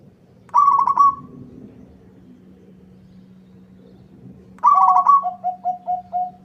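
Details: Zebra dove of local stock in full song, meant to make a rival answer: a rolling purred trill, a long pause, then another trill followed by five short soft coos, over a constant low hum.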